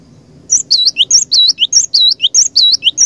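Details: Cinereous tit, a bird used as a lure to provoke rival tits into singing: loud, clear, high two-part phrases of a whistled note and a swooping slur, repeated steadily about every quarter second, with a faint low rumble beneath.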